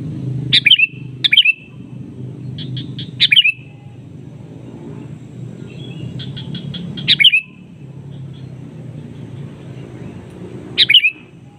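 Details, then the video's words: Answering back and forth with a rival, a sooty-headed bulbul repeats loud, sharp, downslurred calls, often preceded by rapid runs of four or five short chips, the pattern recurring several times over a low background rumble. "Kicauan KUTILANG SUARA ASLI bernada panggilan pancingan memanggil lawan bersautan"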